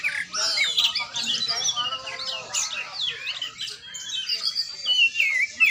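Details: Oriental magpie-robin (kacer) in training, giving busy high whistles and chirps layered over softer lower chatter, with a rising-and-falling whistled phrase near the end.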